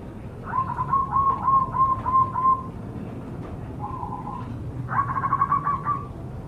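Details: Wild local zebra dove lure recording: rapid, buzzy trills of cooing notes, a short lower phrase, then another rolling burst, over faint background hiss.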